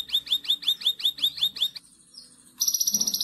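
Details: Konin masteran recording for training other birds: about ten clear whistled notes, each sliding downward, repeated steadily, then a quiet gap and a high buzzy trill of rapid pulses.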